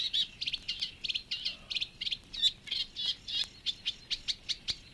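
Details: Reed Warbler song from the Matsalu reed beds: loud, close, rhythmic series of harsh chirring and churring notes, each repeated several times, with the occasional sharper whistled note mixed in.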